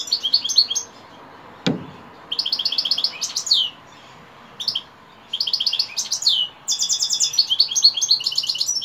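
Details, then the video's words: Caged European goldfinch singing in the early evening: rapid bursts of bright, tinkling twittered notes and buzzy trills, phrases of one to two seconds separated by short pauses, with a single knock and faint indoor background. "Saka kuşu akşamüstü sefası"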